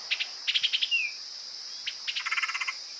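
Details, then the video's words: Lure recording of a woodpecker: quick clusters of sharp, rattling high notes, a short down-slurred whistle, then a longer run of rapid chattering notes, over a continuous high insect buzz. "PIKAT BURUNG PELATUK SUARA PANCINGAN"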